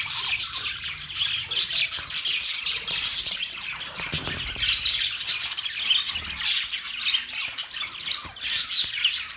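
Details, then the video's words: Flock of budgerigars, Australian parrots, chirping: steady mass of high, rasping chirps and warbles from several birds together. "Beautiful Australian parrot Budgies chirping sound Parrot sounds"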